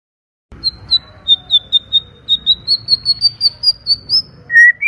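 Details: Clear, loud white-rumped shama song: a rhythmic string of short, high whistled notes, rising gradually in pitch, finished by a longer, lower whistle.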